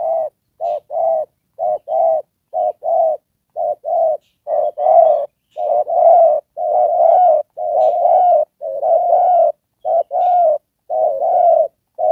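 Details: Spotted dove kept as a decoy for trapping, cooing in the 'đồng pha' style with 'rước' and 'kèm' notes: steady low hoarse coos, a short note before each longer one, repeated about once a second with brief pauses.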